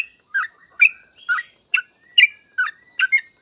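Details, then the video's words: Chirpy 'gacor ropel' song of a yellow-vented bulbul: separate bright notes spaced roughly every half second, some joined by a faint thin whistle, on a quiet background. "Suara trucukan gacor full ropel"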